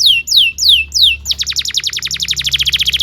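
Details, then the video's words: Singing canary on a training recording for young canaries: four loud descending whistled notes, then a fast, steady rapid-fire trill of sharp downward chirps, about eight per second, with a faint low background hum. "PANCINGAN KENARI GACOR DURASI PANJANG UNTUK MASTERAN KENARI PAUD BELAJAR BUNYI DAN GACOR"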